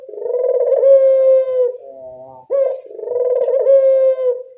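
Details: Barbary dove calling vigorously, a recording played to get a quiet, reluctant dove to start calling: two long, low rolling coos, each about two seconds with a rising hiccup near the end, separated by a softer, brief note.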